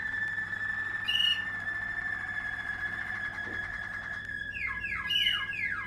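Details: Waterslager canary from a 2020 strain holding a long, even rolled tone for several seconds with a brief bell-like note early on, then a quick series of repeated falling whistled glides near the close.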